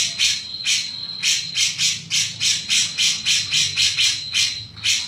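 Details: Grey-cheeked bulbul in full voice, giving its "mbeset-mbeset" song style: harsh, broadband rasping bursts repeated about twice a second over a steady high insect-like whine.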